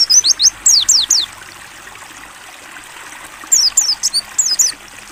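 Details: Mountain white-eye, 'ngalas buka paruh' training song: two quick bursts of thin, high, falling whistled notes with a two-second quiet gap between, soft flowing water audible throughout.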